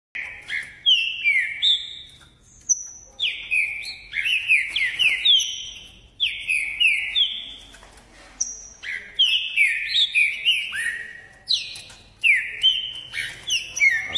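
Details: Green-winged saltator (trinca-ferro) from Caxias, Rio de Janeiro, singing in the ordem e pressão style: loud, clear whistled phrases of rising and falling slurred notes, tightly packed and overlapping, with short pauses between bursts.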